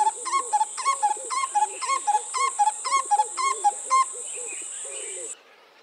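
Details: A male and female Black-collared Barbet duet, the male calling and the female responding. Ringing paired notes repeat about twice a second over lower, hoarser answering notes, with a steady high hiss behind.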